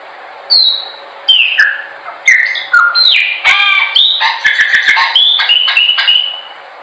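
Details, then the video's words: Chopi blackbird song for training birds. A rich, varied sequence of falling whistles and chattering, squawky notes running together, loud and continuous. "melhor pássaro preto/cantando para treinamento."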